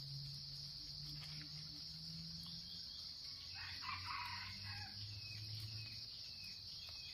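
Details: Red junglefowl crow from Sumatra, used as a lure for trapping wild birds: one short, hoarse, rasping burst just past the midpoint, half buried under a steady shrill cricket chorus and a low droning hum.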